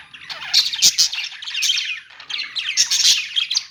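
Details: Several budgies in a pet store giving dense, buzzy chatter mixed with sharp high chirps and short squawks, rising and falling in bursts with a brief lull midway.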